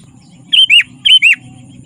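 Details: Sooty-headed bulbul song played to lure wild bulbuls and to train captive birds: two quick bubbly phrases, each a loud whistled note sliding down into a slurred rising-falling second note, over a low background hum.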